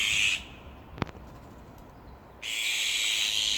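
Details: Azure-winged Magpie near a fledgling that has just left the nest after about a month, with wings and tail not fully grown and unable to fly well, while parents guard it from above; two harsh, raspy, sustained calls with a click between.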